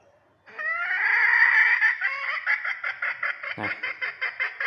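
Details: A recorded red junglefowl hen call played from a speaker as a decoy: a drawn-out, nasal squawk breaking into quick, clipped clucks at nearly three per second, with a low thump near the end.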